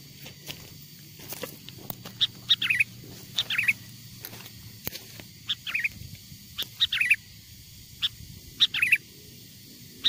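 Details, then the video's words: Sooty-headed bulbul lure song, the original song of wild birds, used to draw wild bulbuls close: scattered bright chirps and short bubbly phrases in irregular bursts over ten seconds, with a low background rumble. "SUARA PIKAT BURUNG KUTILANG GACOR, PANGGILAN KUTILANG LIAR AGAR MENDEKAT!!"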